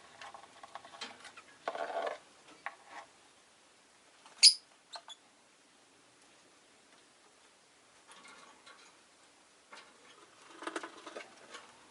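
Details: Only soft scratching and rustling, a few light taps and one sharp click, with no clear animal calls.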